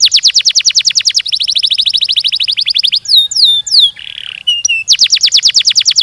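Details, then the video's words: Caged canary in full song with tight rapid rolls: a long series of quick descending trilled notes, a pause into swooping whistles and a harsh buzzy burst, then another fast roll of repeated notes; bird alone, clear recording. "Burung kenari gacor ngerol ngedur panjang, Suara Kenari gacor speed rapat untuk pancingan kenari"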